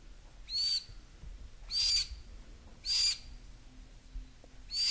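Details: Baby green-cheeked conures, 3–4 weeks old, in a group of ten resting just after a feeding, give short, raspy, hissing squawks, each about a third of a second, repeated roughly once a second.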